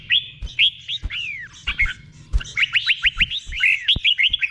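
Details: Red-whiskered bulbul singing the doubled 'bueng' style song, slow and clear, used for teaching caged birds to copy: bright whistled phrases of quick rising-then-falling notes, ending in a rapid run of short repeated slurs, with faint low thumps.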